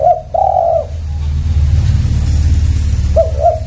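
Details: Spotted dove coos at the start and end, a long husky note then two short rising notes, partly masked by loud low rumbling noise.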